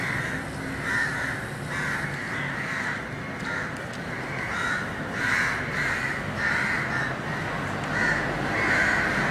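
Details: House crows, subspecies protegatus, roosting in a large gathering at dusk in Colombo, Sri Lanka, 28 February: a busy chorus of hoarse, nasal caws at irregular intervals, several birds overlapping, with constant traffic noise underneath.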